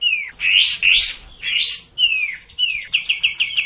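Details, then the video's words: A sooty-headed bulbul, played as a lure to get a reluctant bird singing, gives bright, slurred down-sweeping whistles mixed with scratchy bursts, ending in a quick run of five or six clipped chirps. "Burung Kapas Tembak yang malaes bunyi agar racin gacor"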